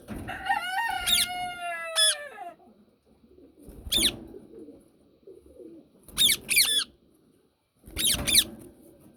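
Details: Yellow Indian ringneck parakeet: a long, drawn-out wavering call opens, then sharp, shrill screeches come singly and in quick pairs every two seconds.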